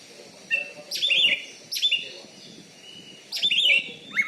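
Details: Contest Oriental magpie-robin (kacer) in Bengkulu, a loud-voiced caged champion. Three short bursts of bright whistled notes with sweeping slurs, separated by pauses over faint low background noise.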